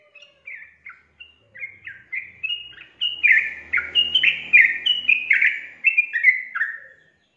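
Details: A sooty-headed bulbul begins with soft, well-spaced chirps that build into a louder, denser babble of warbled notes, with faint low background noise. The song is used to rouse reluctant birds into singing.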